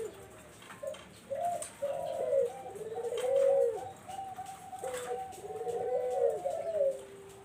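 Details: A Barbary dove, used as a lure for zebra doves, gives low warbling coos that build and overlap. The calls swell in loudness midway and again toward the end.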